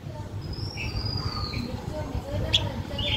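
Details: Blue-winged minla singing a lure song to stimulate other birds: thin, high whistles that slide slightly downward and a few shorter chirps, over a steady low rumble of background noise.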